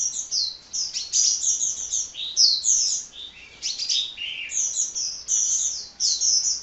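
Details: Hummingbird pouring out an unbroken run of high, squeaky twitters and short slurred notes, phrases following closely with few pauses.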